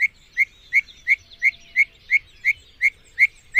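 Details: Mockingbird (cenzontle) singing a steady run of about ten identical sharp, bright chirped notes, evenly repeated roughly three times per second, with a quiet background.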